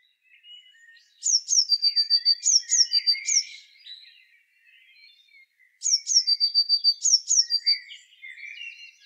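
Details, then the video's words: Two song phrases from a Eurasian blue tit, about four seconds apart. Each has paired high, sharp notes followed by a short, slightly lower trill, repeated twice. Softer twittering and warbling from other birds fills the background. "Herrerillo común (Cyanistes caeruleus) Canto."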